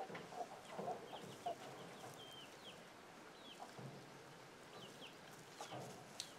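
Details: Chickens communicating with young chicks through an alert sound: a few sharp, low clucks open the recording. Sliding, high-pitched chick cheeps follow, set against a soft outdoor background.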